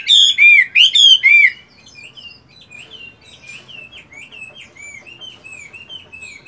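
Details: Chinese hwamei in moult, caged, practising its voice in the morning: four loud, rich whistled notes that swoop downward, followed by a quieter stream of short rising and falling whistles.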